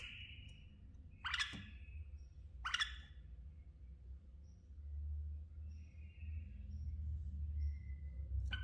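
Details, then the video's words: A hybrid bulbul, bred last season from a Kashmiri fighter father and a white-cheeked mother, gives two loud, harsh rising bursts about a second and a half apart, with soft thin whistled notes between, over a steady low indoor hum. "بلبل هجين"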